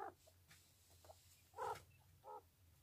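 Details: Jumbo Japanese quail, kept with its chicks, gives a few short, nasal, harsh calls spaced about a second apart, the loudest near the end, over a faint low hum.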